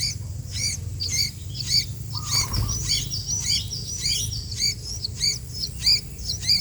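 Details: Chattering sooty-headed bulbul: sharp high chirps repeat almost twice a second in a steady run. A brief lower whistled note comes in partway through, over a soft low background hum.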